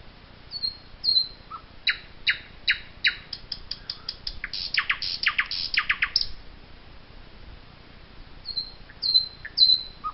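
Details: In the Wittlicher Tal, 2018, a Eurasian jay gives a long sequence of rasping broadband calls, accelerating into a dense burst of harsh notes. Thin high whistles are heard before and after.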